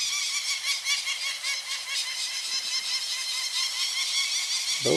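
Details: Two wild adult peregrine falcons, unhappy with a perceived attack on their chicks, wheel overhead at a Mount Tom cliff nest in Western Massachusetts: fast, harsh, repeated cacks in an unbroken series, a brief low thump at the end.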